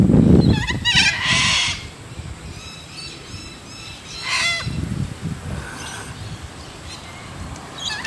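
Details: A flock of about 20 little (short-billed) corellas, back for a second morning in Moorooka, Australia, gives harsh, grating screeches in a few loud bursts, one long and several shorter, over low rumbling background noise and a voice.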